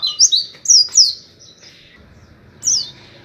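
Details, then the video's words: Oriental white-eye, a training recording for teaching captive birds, giving the ngalas 'wit wit' call: a few high, thin, downslurred chirps in a quick cluster, then a pause and one more chirp. "masteran pleci ngalas Wit Wit"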